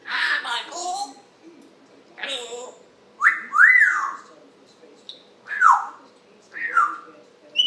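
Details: Morning chatter of an African grey parrot at home, July 26, 2021: a string of loud arched whistles, each rising then dropping, separated by breathy speech-like sounds and short pauses.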